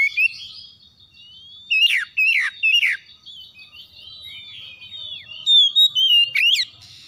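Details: Oriental magpie-robins calling back and forth in the morning, harsh lure song: a thin held whistle underneath, a cluster of three loud rasping notes, softer warbles, then a final bright whistle and rasp.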